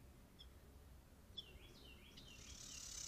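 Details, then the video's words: Dark-eyed Junco (snowbird) on a deck, caught on a trail camera and said to sound annoyed, gives a lone high chip, then a quick run of thin, sliding twittered notes, with rising background hiss at the end. "Love to hear the sounds of the birds singing. One sounds annoyed. Snowbird"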